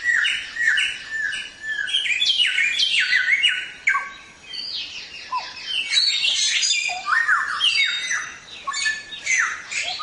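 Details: Samyong singing loudly as a model for songbirds in training, with fast repeated downslurred whistles and squeaky, buzzy trills, briefly dipping before resuming a busy chattering flow.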